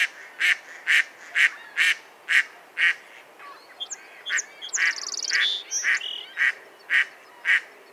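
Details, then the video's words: Rhythmic mallard quacking, roughly two nasal quacks a second, interrupted midway by high chirps and a short trill from another small bird before the quacks resume steadily. "Mallard Bird Sound Call"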